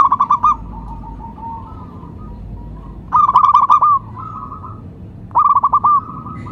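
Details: Local zebra dove calling as a lure: bursts of quick stuttering coo notes in three rolling phrases, with softer drawn-out notes between, over constant low background noise.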